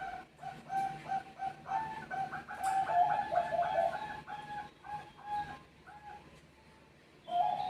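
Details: Bangkok-type zebra doves answering one another's song: runs of soft, rolling coo notes on a steady mid pitch, several notes per second in bursts, with quieter pauses between phrases and a final burst at the end.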